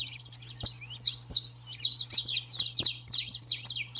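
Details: Pet saffron finch training song to stir up the bird: dense, loud, high-pitched twittering with rapid clipped notes in quick bursts, a steady low electrical hum and a few clicks beneath.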